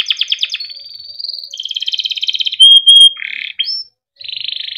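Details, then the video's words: Timbrado canary song for training: rapid pulsed notes, a smooth rising whistle, a buzzy rolling trill, two loud piercing pure tones, then short chirps and a closing trill. "Timbrado canary singing beautiful melodic songs for training"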